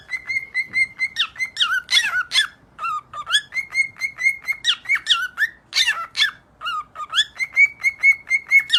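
A cockatiel whistles a lively song of clear repeated notes mixed with swooping slurs.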